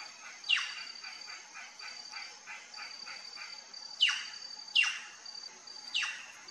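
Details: Plush-crested jay visiting a feeder, giving four loud, abrupt, down-slurred calls spaced about a second apart. Between them run quieter rapid repeated notes, with a constant high insect whine throughout.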